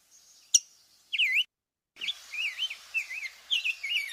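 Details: Rose-breasted Grosbeak song: sweet, rolling whistled phrases that rise and fall, all run together at a Scarlet Tanager-like tempo but without its buzzy quality. A sharp, squeaky "kink" call note comes first.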